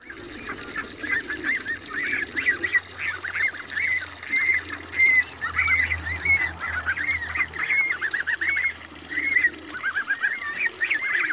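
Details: Several young Toulouse geese running in a backyard and calling together in an overlapping chorus of reedy, wavering honks and squeaky notes, about one and a half per second, with a low background hum.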